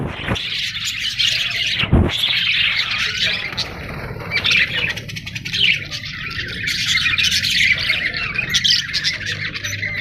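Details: Parrot giving busy high chirps and scratchy squawks that run almost without pause, rising and falling in loudness, over a faint low background hum.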